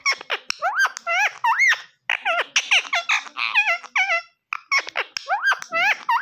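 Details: Pet green ring-necked parakeet, shown speaking Urdu/Hindi and saying "mian mithoo", delivering rapid squeaky chatter: dense runs of short swooping and rising notes with brief breaks.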